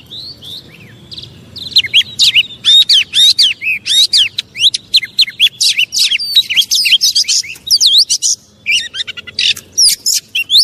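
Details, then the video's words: Oriental magpie-robin singing a provocation song meant to make other magpie-robins aggressive: after a quiet start, a fast, unbroken run of varied whistles, chirps and mimicked-sounding slurs, growing denser toward the end. "Pancingan burung kacer biar cepat emosi"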